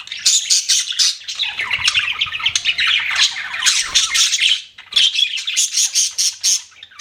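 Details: Chattering budgies produce rapid, overlapping chirps and scratchy warbles that break off for a moment near the middle before resuming just as densely.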